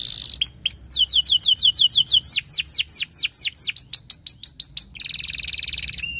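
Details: Canary singing long fast runs of sharply descending slurred notes, shifting into clipped high repeated notes and ending with a rapid buzzy trill.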